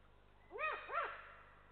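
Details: Adult Eurasian eagle-owl of a nesting pair in Estonia gives warning calls as a lynx walks by, 07-12-2023: two harsh, arching calls about a third of a second apart, each rising then falling, with faint background hiss.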